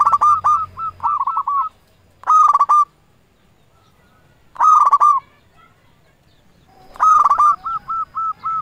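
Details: Local zebra dove singing as a lure to provoke rival doves: four short bursts of rapid, rough cooing notes about every two and a half seconds, and a trailing run of softer hooked notes at the end.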